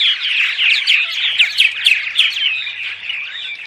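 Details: Purple martin dawn song, a studio recording used to attract arriving migrant martins: a dense, continuous run of gurgling, chirping notes, several per second, over a low hum.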